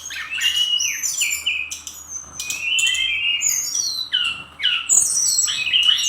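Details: Brown-chested jungle flycatcher, Bali 'gacor' bird, delivering rapid 'nembak' phrases of about four notes per second: rising and falling whistled slurs, short clicks and a buzzy burst near five seconds.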